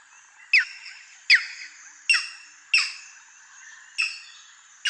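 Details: Striated heron, also called mangrove heron or green-backed heron, giving sharp, high, downward-sliding calls. Six calls come roughly every three-quarters of a second over a quiet background.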